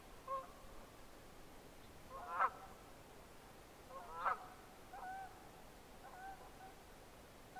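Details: Red-breasted merganser heard at a distance: faint, nasal, rasping calls with two louder accented bursts, scattered over several seconds above a steady hiss of background noise.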